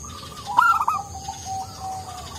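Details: Local zebra dove, soft-voiced and used to stir other doves; one brief cooing phrase with a bright opening note and a few quick coos, followed by long, quiet, level low notes.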